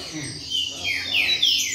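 Green-winged Saltator giving rich whistled notes that slur down and then up, bright and clear, with other birds and a faint voice in the background.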